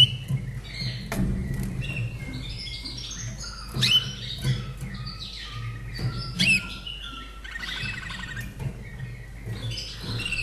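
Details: Slavujar canary kept in a cage in Austria, born 2011, sings clear whistled notes, downslurs and a buzzy rolling trill near the end, phrases changing every second or two, over a low background hum.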